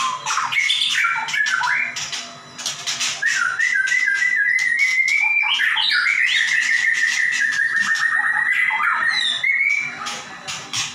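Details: White-rumped shama in energetic song for training other caged shamas: varied whistled phrases, a long wavering sustained tone, and dense rapid clicking and rattling notes running through the whole passage.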